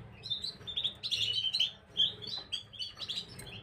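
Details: On 9 January 2023 a Gloster canary sings a continuous warbling stream of high, bright notes and rolling trills, rising and falling in loudness, with a low background hum.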